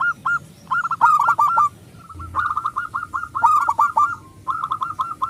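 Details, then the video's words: Local zebra dove, a loud-voiced bird kept as a lure to stir other doves to sing: bursts of rapid, staccato cooing notes at mid pitch, repeated in clusters with short gaps, plus sharp clicking sounds in between. "perkutut lokal gacor suara besar pancingan super ampuh"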